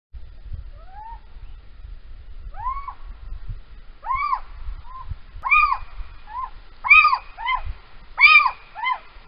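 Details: Little owl calling at night on 3 March 2020 around 03:16 in Holten, Netherlands: a series of arched, mewing kiew notes with harmonics, growing louder and more frequent, over low rumbling background noise.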